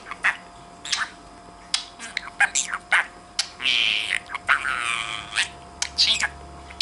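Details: A pet budgerigar interacting with its owner talks clearly, chattering in quick, scratchy bursts that mix sharp clicks with two longer buzzy, warbling phrases of mimicked speech.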